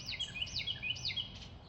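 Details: A Carolina wren, heard but not seen while birdwatching cardinals and bluebirds, gives quick, high, down-slurred whistled notes in a rolling series, about three per second, over a low background rumble.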